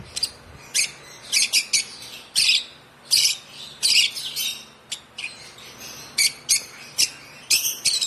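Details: A one-month-old African lovebird chick, hand-fed since two weeks of age, gives a steady run of sharp, high buzzy chirps, often in quick pairs or clusters, with short quiet gaps between them.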